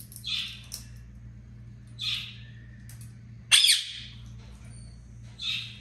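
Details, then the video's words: Talking pet African grey parrot indoors giving harsh, high squawks, four bursts spaced about one to two seconds apart, the third loudest and sharpest, over a steady electrical hum. "ببغاء الكاسكو متكلم | ينادي اسمه"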